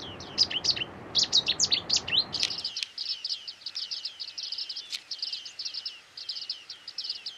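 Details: Large early-autumn flock of bearded tits at Newport Wetlands, many birds calling at once: dense overlapping metallic pings and chirps, loud and busy at first, then continuing more evenly after background rumble stops.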